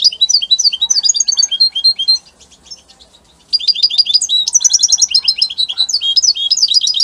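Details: Song of a European goldfinch from the Italian type: two lively bursts of high, liquid twittering and buzzy chirps, separated by a short pause of about a second.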